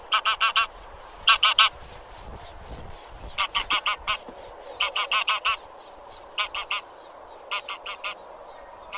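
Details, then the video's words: Grey or white geese of the genus Anser giving loud, rapid nasal honks in quick clusters of three to five, several birds overlapping in a busy flock chorus. "Anser 1h Bird sound."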